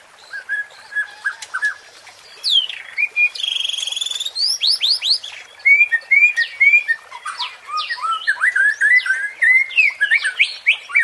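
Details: Murai batu, or white-rumped shama, pancingan song to excite competing birds: low fluty notes, a buzzy rattle, then a rich, fast medley of rising and falling whistles, chips and trills that never settles into one repeated phrase.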